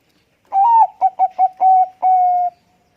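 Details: Zebra dove (Geopelia striata, Bangkok perkutut) with a big voice, quick to respond to other birds, coos a rolling phrase: a long opening note, three quick clipped coos, then two drawn-out soft notes, low and mellow.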